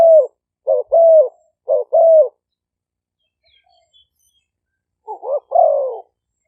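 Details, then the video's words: Decoy Spotted dove calls from Roi Et province, Thailand, two caged birds sometimes calling together, recorded live with noise removed. Three low cooing pairs, short note then drawn-out coo, a silent gap, then a final wavering coo phrase. "เสียงนกเขาใหญ่ คารม ปะทะ คารม"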